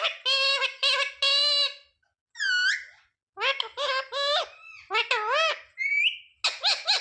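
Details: Pet rose-ringed parakeet indoors mimicking words such as mummy and papa; clear nasal speech-like phrases with strong harmonics, repeated in short bursts separated by brief pauses, plus a rising squeaky whistle.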